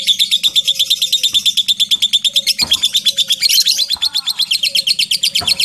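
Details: Lovebird in long ngekek song: a dense, fast rattle of shrill notes running throughout, briefly rougher in the middle, with quiet whistling and small clicks underneath.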